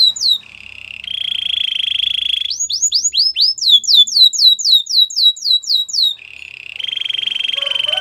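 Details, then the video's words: White canary singing: a rapid buzzy trill near the start, a long steady rattling roll, then a run of about fourteen quick, clear, upward-sweeping whistled notes, and another rolling trill at the end. "Canary singing birds sounds at its best | White canary singing"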